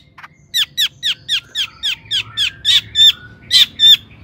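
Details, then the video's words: Long-tailed shrike singing in an energetic lure recording for prompting other shrikes to sing. About a dozen downslurred, slightly buzzy notes are repeated steadily, growing louder toward the end. "Kicau cendet gacor AMPUH EMOSI TINGGI, pancingan CENDET AGAR BUNYI"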